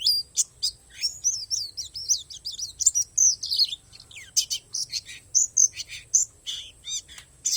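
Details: Oriental white-eye, palas Borneo variety, pouring out a song laced with wild-learned material: rapid, high twittering chirps, then louder scratchy notes and clear high whistles in irregular bursts.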